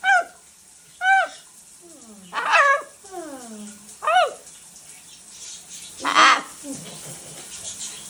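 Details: Chatty talking pet macaw at home: clipped, tonal syllables with arching and sliding inflections, spaced about a second apart, then a harsh broad squawk near the end, with a faint steady background hiss.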